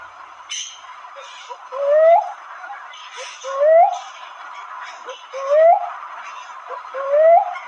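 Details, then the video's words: A cuckoo-dove (manok manok) gives four low, rising whooped notes, one about every one and a half seconds, with faint calls of other birds behind. "cockoo-dove or manok manok sounds"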